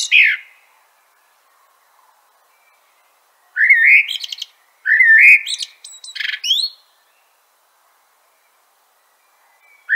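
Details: Common blackbird (Turdus merula) singing three mellow, fluted phrases a second or so apart, each sliding around in the middle register before ending in a brief squeaky twitter, with silence between phrases.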